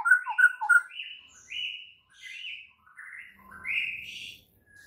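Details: White-rumped shama singing in the morning as a training song to rouse silent shamas: quick triple whistled notes, then longer sweeping whistles that rise and fall, fading toward a soft ending.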